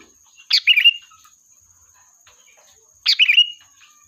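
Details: Energetic sooty-headed bulbul song for luring and calling the flock. Two bubbly chattering phrases, each finishing in a clear whistle, come two and a half seconds apart. Faint soft chirps and a thin steady high whine sound between them.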